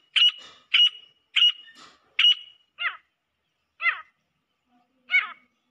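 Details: Female grey francolin calling: four loud, ringing, scratchy notes in quick series, followed by three spaced harsh descending notes.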